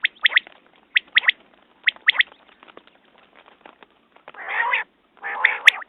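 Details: Three crisp, high triple-note quail phrases about a second apart, a pause, then two rough buzzing bursts, the last ending in a sharp click.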